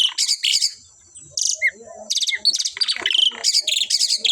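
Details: A singing pair of Asian pied starlings gives rapid, harsh, buzzy high chatters in quick clusters, with brief whistled slurs between them. After a short pause, the clusters pick up again almost continuously.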